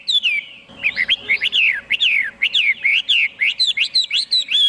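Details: Chinese hwamei in full song: a fast stream of loud downward-slurred whistles, about four each second, delivered continuously and vigorously.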